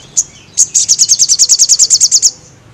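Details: Actively singing crested jay, meant for training birds: one high chip, a short pause, then a rapid even rattle of about sixteen piercing high pulses over under two seconds.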